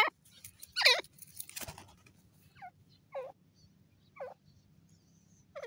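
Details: Grey francolin, called irani dakhni teetar, giving short descending harmonic notes about once a second, with a louder, noisier burst of calls at the start.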